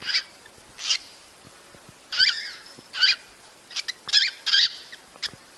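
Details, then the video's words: Cockatiel mating calls meant to encourage breeding: a series of rough, screechy bursts at irregular intervals, some doubled, over light background hiss and soft clicks. "صوت تزاوج الكوكتيل لتحفيزها"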